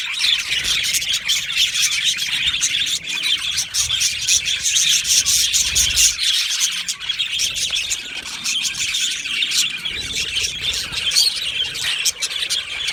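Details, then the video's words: Budgies chirping in an aviary colony: unbroken high-pitched twittering and chattering from many birds, with clicky short notes scattered through the thirteen seconds. "Australian Budgie parrot sounds | Budgie parrot chirping sounds"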